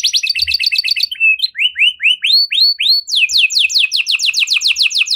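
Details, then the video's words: Canary with a cengkok-style song used as a prompt for other canaries: fast trill, a short flat whistle, a series of rising whistled swoops, then a fast run of repeated downward-sweeping notes. "Burung Kenari Mana Saja Pasti Ikut Gacor Setelah Dengar Kenari Cengkok Mewah Ini"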